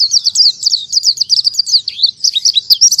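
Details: Oriental white-eye delivering clean, high, fast chirps in quick succession, the 'tembakan tanpa nafas' style of breathless rapid-fire singing, over an otherwise quiet background.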